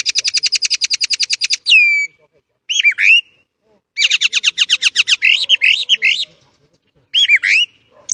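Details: Starling delivering a 'ngerol' style rolling song for bird training: a long, rapid, evenly pulsed trill, sharp descending whistles, then another extended chattering run mixed with looping, warbled notes, ending with a few bright twisting whistles.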